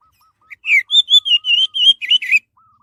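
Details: Song of an orange-headed thrush, used as a lure to prompt other birds to sing: a quick string of rich whistled phrases, rising and falling, with soft lower repeated piping notes underneath before and after.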